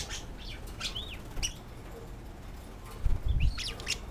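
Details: Budgerigars, a pet male and a visiting hen, calling to each other and flirting when put up for the night; rising and falling chirps and warbles, a pause, then a bump and another burst of chirps.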